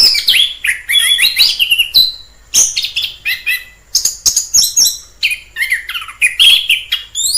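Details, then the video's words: Orange-headed thrush in the wild delivering a fast, rich song of mimic-like chirps, whistles and descending slurs, continuous phrases with short pauses. "Suara asli anis kembang di alam liar"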